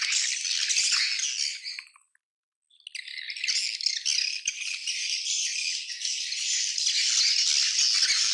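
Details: Colony swiftlets chattering in a high, rattling twitter that drops to silence for under a second, then resumes as a dense, steady chorus.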